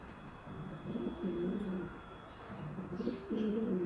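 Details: Male pigeon courting a female, trying to attract and persuade her to mate during the pair's first mating: low, throaty rolling coos in two bursts of several pulses each, separated by a short pause, over steady background hum.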